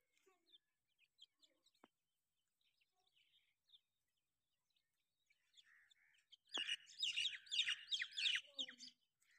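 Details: Grey francolin chicks: faint scattered chirps at first, then a loud dense cluster of high chattering cheeps after a sharp click, fading near the end.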